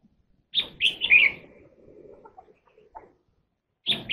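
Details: Red-whiskered bulbul song: a loud burst of bright, chirpy warbled notes in a quick phrase lasting about a second, a short quiet gap with soft twitters, then the phrase starting again.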